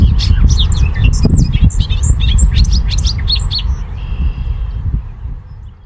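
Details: A male Bobolink near a field, recorded 9 May 2023, pours out a fast, tumbling burst of high, bubbly, metallic notes lasting nearly four seconds before fading, with steady low wind rumble underneath.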